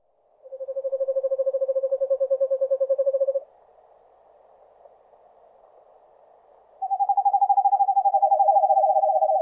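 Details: An Eastern Screech-Owl (Megascops asio) in forest gives its trill call: a long, even trill of rapid hoots on one low pitch, pauses about three seconds, then trills again slightly higher.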